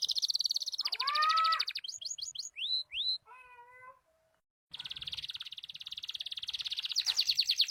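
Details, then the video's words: Loper canary singing a variation: rapid high trill, a few rising and falling slurs, deeper harmonic notes, a brief pause, then a long sustained fast trill that grows louder. "14 variasi suara burung kenari loper"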